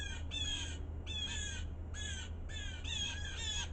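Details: Scolding by blue jay brothers in snow during a winter storm, a run of rasping, buzzy jeers delivered in close pairs and bursts about every half second, with a low background hum.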